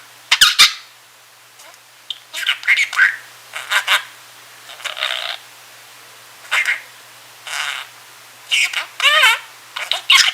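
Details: Indoor pet budgerigar, male, chattering drowsily during a nap: short raspy bursts and squeaky rising-falling notes spaced a second or two apart, with silent pauses between phrases.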